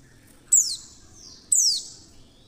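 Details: Two bright, high chirps one second apart, each sweeping steeply down then trailing off, from a female Oriental white-eye calling to stir other white-eyes into singing; faint low noise behind.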